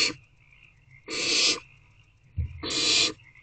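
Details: Owlets of the barn owl, squirming in their nest box on the night of 3/5/24, give a short hiss then two longer harsh breathy hisses, with a soft thud between, over a quiet steady high background tone.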